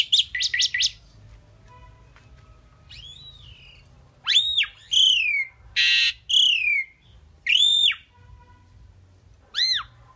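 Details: Indian pied myna known for talking, producing a rapid burst of three sharp notes, then loud arching whistles and a harsh rasping squawk, each separated by short pauses, with steady low background hum.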